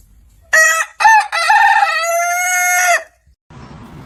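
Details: Morning crow of a rooster: two brief clipped notes, then a long, steady, loud drawn-out crow of about two seconds that ends abruptly.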